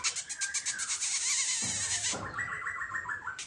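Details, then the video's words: Silver-eared laughingthrush in a cage, singing ôm cóng: loud hissing noise covers the start, then a clear run of short, rapid whistled notes repeated about four per second. "Khướu bạc má ôm cóng đẳng cấp"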